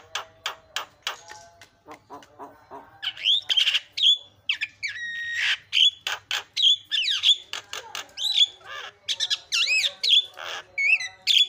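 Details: Asian pied starling singing a lure song meant to provoke other starlings: harsh broadband chattering notes, then loud whistled upslurs and warbled phrases with squawky bursts, delivered rapidly in a varied, continuous stream.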